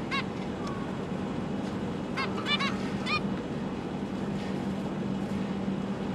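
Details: Zebra finches, a pet pair with three juveniles and three newly hatched chicks, recorded 12 December 2022 while the parents feed their young; short nasal, honking calls with stacked overtones, several in quick bursts, over a steady low hum.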